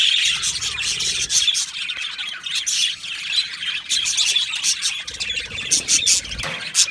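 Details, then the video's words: In an aviary, a budgie colony chirps and warbles together: rapid, scratchy high notes from many birds, with a few clear louder chirps near the close. "Beautiful Budgies chirping sounds"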